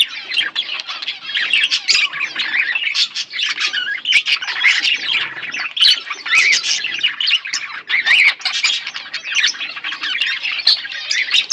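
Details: Steady chattering from a pair of budgerigars: rapid, scratchy, warbling notes with squeaky whistles, sustained over the whole stretch with small swells in loudness.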